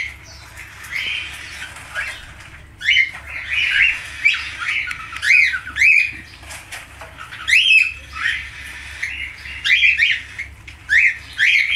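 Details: Falk-type budgerigar in a long chattering warble: a soft murmur building into repeated sharp squeaks, clicks and rising whistles over several seconds.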